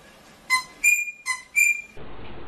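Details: Rosella giving two pairs of whistled notes, a short low note followed by a longer, higher, ringing note, then a burst of broad background noise at the end.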